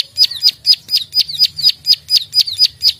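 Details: Prenjak sawah, the plain prinia, clicking in a gacor fighter manner for songbird training: bright, piercing notes, each a quick high flick dropping slightly, paired and repeated at a brisk, regular pace.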